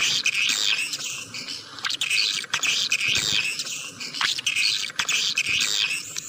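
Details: Continuous swiftlet twittering for a lure: dense, buzzy, high chattering bursts that run almost without a break, broken by occasional sharp clicks.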